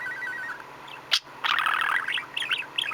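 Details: Male pet budgerigar chattering contentedly: a soft ticking run, one sharp high click, then a dense burst of jumbled squeaky chirps and warbled notes continuing in quick bursts to the end, with a low background hum.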